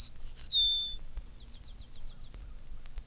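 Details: Eastern Meadowlark on a telegraph pole giving a high, clear whistled phrase of descending slurred notes. A quick series of short, soft chips follows in the background.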